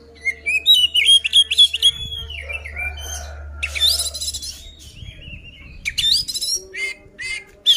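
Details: Oriental magpie-robin singing to provoke rivals to fight, with rapid repeated whistled notes, sliding descending phrases, harsh buzzy bursts and a steady low drone behind.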